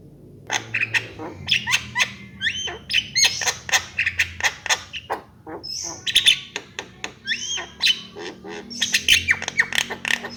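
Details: Javan myna in a long varied medley of clicks, rasps and short hooked whistles, delivered in rapid irregular bursts with a low hum behind.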